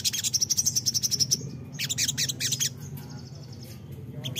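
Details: Crimson sunbird song used as a lure to get untrained birds to answer: a fast run of very high, thin ticking notes for over a second, then dense scratchy bursts and softer high chips.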